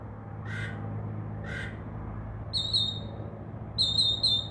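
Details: Northern mockingbird singing from a tree outside a window, a bird that mimics crow caws and other sounds; two harsh, raspy caw-like notes about a second apart, then short bursts of high, bright, warbled trilling. Steady low background hum.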